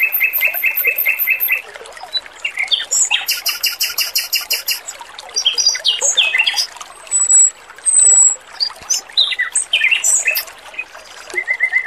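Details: Singing male Oriental magpie-robin, sweet and clear, on a training recording with babbling water: rapid repeated notes in steady trains, a rattling high burst, long thin whistles and varied chirped phrases over twelve seconds.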